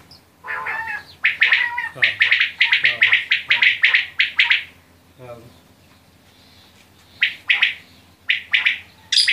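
Quail give dense bursts of sharp, chirping notes, several per second, then fall quiet before a few more scattered chirps; a low voice-like murmur sits underneath.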